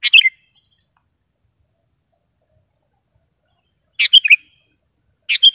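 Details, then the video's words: Sooty-headed bulbul, a lively singing bird, used for training caged birds and luring wild ones in gardens: short bubbly phrases of sharp clear notes around a few kilohertz, one at the start and more after four seconds. "SUARA BURUNG KUTILANG GACOR TAJAM DAN JERNIH 100% AMPUH UNTUK MASTERAN DAN PANGGILAN"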